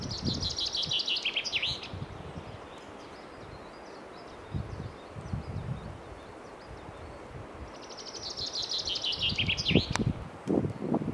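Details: Forest-dwelling common chaffinch delivering two songs roughly seven seconds apart, each a quick cascading trill that falls in pitch before a terminal flourish, with quieter low rustling between phrases.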